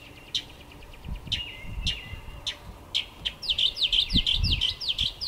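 A Brown Thrasher sings: scattered sharp chips, then a fast run of high, downslurred whistled notes, about three per second, over low thumping noise.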